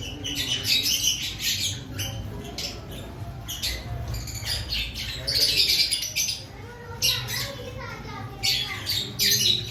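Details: Lovebirds in an aviary before breeding season, harsh shrill squawks and chirps repeated in irregular bursts, several birds overlapping, with a faint low hum underneath.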